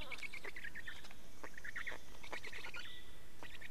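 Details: Black storks in Estonia during nest change and feeding, 24 May 2019, 15:15. Squeaky, wheezing rasps repeat in short stuttering runs, with a faint high whistle running underneath.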